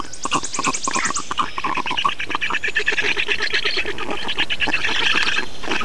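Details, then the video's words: Black storks in Estonia at a feeding, 2 June 2019; a fast run of short, evenly spaced squeaky notes gives way to busy, overlapping grating calls. "Estonian Black Storks - Feeding"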